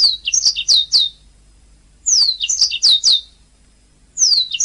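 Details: Canary song used as a master recording for training singing birds: bright high phrases of falling whistled sweeps and short chirps, in bursts separated by brief silences, with no other sounds.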